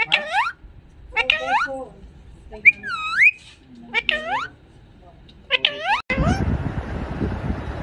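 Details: Pet parrot imitating human words, saying papa and mummy: a series of short, sliding, voice-like syllables with swooping whistled tones, ending in a burst of broad rustling noise.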